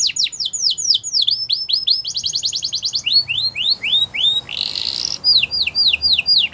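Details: Canary singing to get other canaries singing along: strings of downslurred whistles, a short rapid trill, upswept chirps in series, a brief harsh buzzy burst, then more descending slurred notes.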